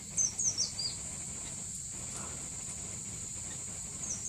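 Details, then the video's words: Mishmi wren-babbler giving a quick burst of high, slurred, twittering notes within the first second, followed by a constant shrill hiss, insect-like, with no further calls. "Mishmi Wren-Babbler call"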